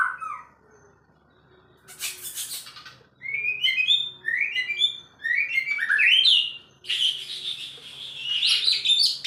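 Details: Agitated male White-rumped shama in Indonesia: a low opening whistle, a harsh rasp, then rising slurred whistles growing louder into a dense, scratchy, jumbled outburst at the end.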